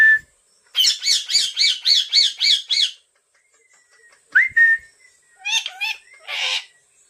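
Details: Pet talking parrot uttering a burst of about eight rapid harsh nasal syllables, then a short whistled note and a few scratchy squawk-like sounds, with a person repeating the word "mithu" nearby.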